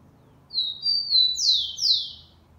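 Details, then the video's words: A Rufous-collared sparrow, recorded 4 October 2020, sings a song much like the Mantiqueira type but with an "affirmative" melody: two long level whistles, then two loud sweeping slurs falling from high to lower pitch, against a quiet background. "Tico Tico Xavante cantando muito com um dos seus variados cantos."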